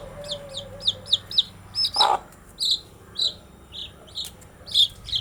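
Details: Young domestic chicks chirping: bright, high peeps that fall in pitch, first in a quick regular series of five, then spaced singly about every half second, with one low broad cluck in the middle.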